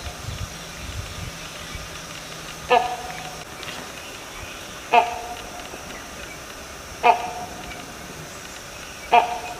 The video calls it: Great hornbill sound and call